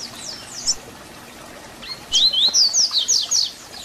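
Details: Double-collared seedeater (papa-capim) singing the Tui Tui Zel Zel fibra song used to teach young birds: a short high chirp, a pause, then a rapid run of sharp, high, down-slurred whistled notes.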